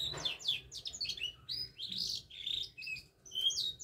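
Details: Pet canary in song: varied high whistled and chirping notes, some sliding, in a quick irregular sequence with short pauses, low background rumble beneath.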